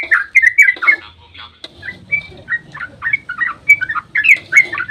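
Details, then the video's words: Sooty-headed bulbul in long dawn 'ropel' song meant to provoke replies: a lively jumble of quick whistled and chattering notes, a short lull, then steady rapid gurgling phrases. "trucukan GACOR ROPEL SUBUH PANJANG buat pancingan trucuk agar cepat bunyi"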